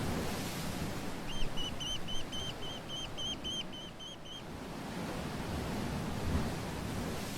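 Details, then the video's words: At the Fossils Beach in the Basque Country, a seabird gives a quick run of about a dozen sharp, high chirps over three seconds against steady rushing surf. "THE SOUNDS OF THE SEA AND BIRDS SINGING"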